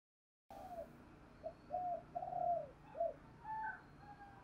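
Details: Spotted dove coo calling, faint against steady background noise: a series of short arched coos and one drawn-out falling note, followed by quieter higher notes.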